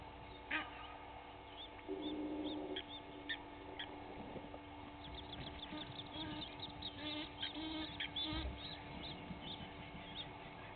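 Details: Two Egyptian goose families fighting at Gowrie dam waterhole, Djuma Game Reserve, Sabi Sand, South Africa, 06:01 on 18 April 2019: harsh honking and hissing calls in irregular bursts, steady background hum and scattered higher chatter.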